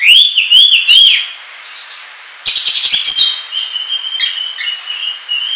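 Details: Ngobra-style kacer song of the Oriental magpie-robin, a trapping lure and tutor recording: three arching whistled loops, a pause, a fast scratchy rattle, then drawn-out steady whistles broken by short chirps.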